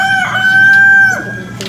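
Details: A chicken gives a weird, drawn-out, steady tone held for about a second, then it breaks off and slides down, followed by a short faint note.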